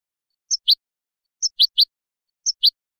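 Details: Goldfinch chirps used to tutor chicks and hybrids: crisp high twitters in groups of two or three, separated by pauses of about a second, with nothing else audible.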